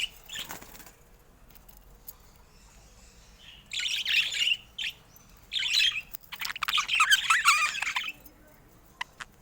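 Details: Pet budgerigars with a faint chirp at first, then several loud bursts of scratchy chattering separated by short pauses.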